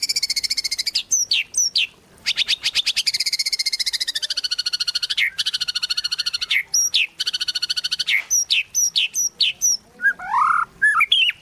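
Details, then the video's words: White-rumped shama singing gacor-style as a lure for other shamas: long runs of very fast, rattling trills, some gently dipping in pitch, mixed with sharp swooping whistles and a varied final flourish. "Murai Batu Gacor | AMPUH buat PANCINGAN Murai Batu Agar Bunyi"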